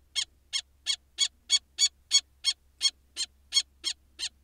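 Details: Female common kestrel guarding her nest box and egg from a male barn owl, both wild birds. Piercing, strident calls repeat every third of a second in a steady, even series over a faint low hum.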